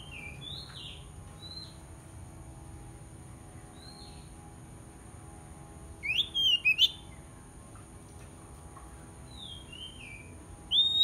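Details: A White-rumped shama, an aggressive village bird used as a lure to call rivals, gives scattered clear, high whistled notes, then a quick burst of sharper, slurred phrases near the end, over a steady background hum and hiss.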